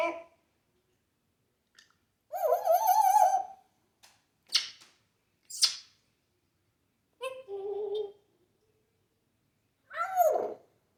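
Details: Pet African grey mimicking sounds like yelling, laughing and animal noises; a mix of wavering squawks, quick high clicks and chirps, a buzzy two-tone note and a final downward-sliding cry.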